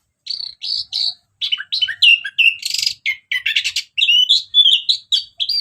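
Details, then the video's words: Orange-headed thrush in full ngeplong song, used as a lure for other birds: a fast, nearly unbroken run of varied whistled notes and chirps, with a harsh buzzy burst in the middle. "Kicauan Anis Merah Bikin Emosi Dan Gacor"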